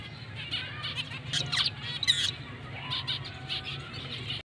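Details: A black-breasted zebra finch breeding pair, rare mutation, with scattered soft nasal beeps and a few sharper chirps rising in intensity near the middle, then quieter calls fading out over faint low hum.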